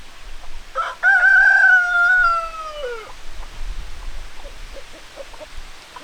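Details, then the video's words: Rooster crowing: one long, loud cock-a-doodle-doo, a brief opening note then a sustained, slightly falling harmonic crow lasting about two seconds, followed by soft clucks and low background noise. "Chicken Sounds Noises Hens Clucking Roosters Crowing"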